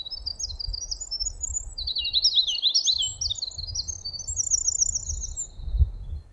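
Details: In forest during migration season, a Winter Wren pours out a long, loud, high song of rapid tinkling trills and bubbling runs without a break, singing over a nearby kinglet, with a low background rumble.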